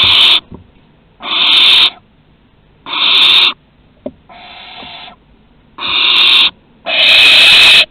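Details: Barn owls at Théding, France, 2 September 2020, first flight from the nest and return: six harsh hissing screeches about every second and a half, one of them softer and more wheezy, with a faint click.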